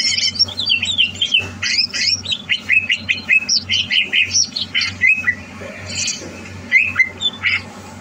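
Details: Greater green leafbird, a cage bird being prepared for a singing competition, recorded 30 November 2022: rapid varied chattering song of sharp whistled and slurred notes, mostly high-pitched, in dense bursts with brief pauses, low steady hum underneath.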